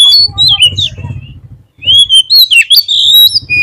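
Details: White-rumped shama singing as a lure to draw out song: a whistled phrase over a low rumbling background, a short pause, then loud rising and falling whistles with harsh buzzy notes.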